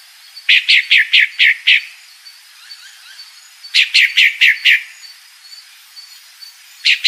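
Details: Female pale-breasted thrush calling in repeated bursts of five or six harsh, rapid notes, with soft thin chirps between the bursts.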